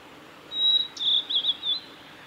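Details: A male Blue-and-white flycatcher sings on the Kanazawa forest road at Lake Miyagase, Japan, 17 May 2020: a clear, high, level whistle, then a quick run of warbling, slurred notes at the same pitch, against a faint hiss.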